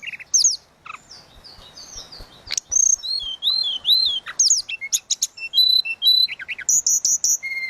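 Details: Tledekan laut delivering a varied 'suling gacor' song used to tutor songbirds: sharp rising and falling whistles, rolling slurred phrases, short chips and steady held notes in quick succession.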